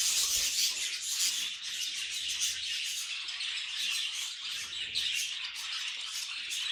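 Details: Pet budgies chirping and chattering: quick high tweets and buzzy squawks overlapping in a busy, unbroken babble, loudest at the start.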